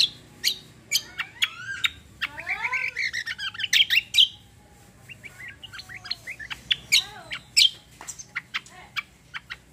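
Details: Cucak kombo, also named kecial kombo, singing gacor roll tembak: a lively stream of sharp, high chips and sweeping whistled notes, with a dense run in the middle and quicker chips toward the end.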